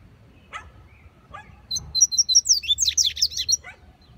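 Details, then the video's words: A rusty-collared seedeater singing in the bush gives a fast, jumbled run of high, sweet twittering notes after two brief chips, with a faint low hum behind. "Coleiro cantando"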